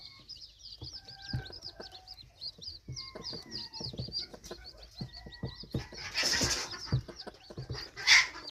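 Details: Red junglefowl chicks chirping in a steady stream of high, short peeps, with a few longer flat whistled notes, a burst of rustling noise midway, and a sharp knock near the end.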